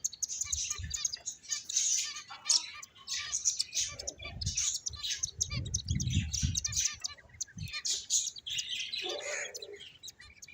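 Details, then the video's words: Continuous high twittering of several finches, quick sharp tweets layered over one another, with some low knocking and rustle sounds partway through. "Beautiful Finches Chirping Sounds"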